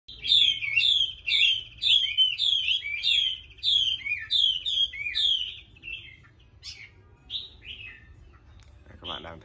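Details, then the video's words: Caged female Chinese hwamei, nearly through her moult, giving the call a female uses to urge a male to sing. Bright downslurred notes repeat about twice per second for five seconds, then fade to a few scattered quieter notes in a small room. "Mi mái TỐT sùy thúc trống PHẢI hót"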